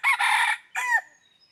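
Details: A close, loud crow from a red junglefowl acting as a decoy for wild junglefowl. Two rasping bursts, the second ending in a curved, dropping note, with quiet afterwards.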